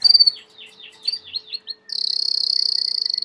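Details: Belgian canary song, domestic breed: a loud opening note, a series of soft downward-slurred whistles, then a sustained high buzzing trill of rapid, evenly spaced pulses.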